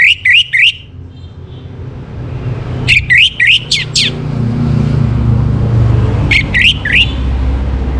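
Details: Orange-headed thrush, northern Bali, morning song for bringing birds into breeding condition: short groups of three to four rising upslurred chirps, repeated after pauses, with passing vehicle rumble.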